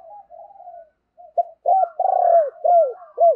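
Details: Spotted dove decoy cooing to lure wild doves, gentle murmured notes leading into a loud, rolling sequence of arched coos, the last one strong and curved.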